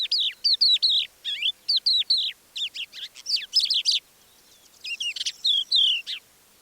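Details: Crested Lark singing quietly at Manych, Russia, in April, giving its extended repertoire and mimicking other birds: bursts of clear whistled, down-slurred chirps and trills, fast phrases separated by a pause of nearly a second, recorded with a parabolic dish.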